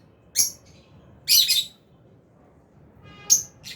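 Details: Albino and Fisher's lovebirds in an aviary while eating: three short bright chirp bursts, a single one, a longer buzzy double chirp, then a sharp final chirp, with quiet gaps between.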